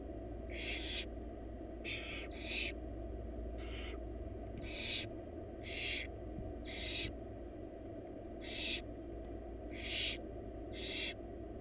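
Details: Barn owl chicks in a wild nest box, four siblings, beg during a feeding on a large rabbit by their mother; a series of about ten short harsh hissing screeches, some doubled, over a low droning hum.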